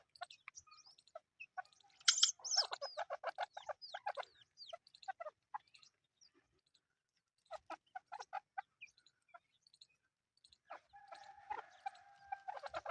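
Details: Several chukar partridge chicks give quick chirps and clucks in dense bursts, pause briefly, then resume with scattered notes, ending over a faint steady hum.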